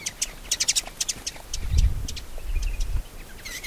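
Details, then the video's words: Shining sunbird calling in its natural desert habitat in Africa or Arabia: a quick run of sharp, high chirps early on, then a low rumbling of wind or handling noise with scattered faint notes. "Shining Sunbird’s Call"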